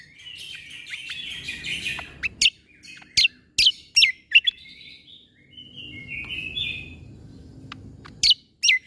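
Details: Greater green leafbird song used as tutor recording for young white-rumped shamas, rapid 'tembakan' style: a scratchy warbled opening, then sharp high downswept whistled notes in quick bursts, a brief buzzy trill midway, soft low hum underneath.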